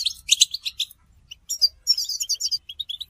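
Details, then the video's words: A short sequence of European goldfinch twittering: a burst of sharp chirps, a brief quiet gap, then rapid high tinkling notes and clipped twitters. Mating calls used to prompt male singing. "بتبتة حسون الشوك تحفيز الحسون على التغريد والهيجان علاج صمت الحسون goldfinch stimulation"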